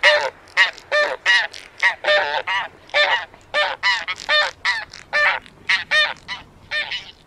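Taiga bean geese give loud, nasal, two-note honks, about three a second, with several birds overlapping in a steady clamour.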